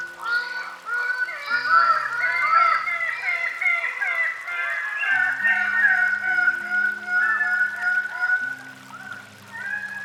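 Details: Greater bird-of-paradise producing a steady chorus of rapid, honking, slurred calls, several birds overlapping, about two to three notes per second. Gentle instrumental music with low held tones runs underneath.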